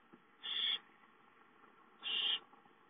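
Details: Owlet Chicka at home calling for food on 9 May 2013, two harsh, hissing screeches, each about a third of a second long and about one and a half seconds apart, over a faint steady hum.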